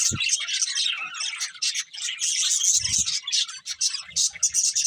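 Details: Budgerigars chirping: a dense, continuous warble of high twittering and squeaky notes, with a few dull low thumps near the start and again around three and four seconds.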